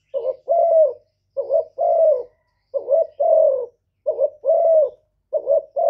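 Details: Spotted dove's cooing used to provoke males: five evenly spaced phrases, each a quick two-pulse lead note joined to a longer mellow coo that drops slightly at the close.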